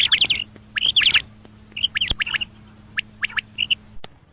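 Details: Repeated triplets of quick, high-pitched chirps from a common quail, some slurred together, with scattered single pips and a faint, steady low hum throughout.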